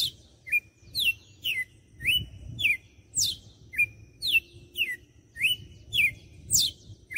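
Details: Açoite song of a red-cowled cardinal from Fortaleza, Ceará, Brazil: a steady, regular series of bright whistled notes, roughly two per second, mixing rising and falling slurs, with a soft low-pitched hum beneath.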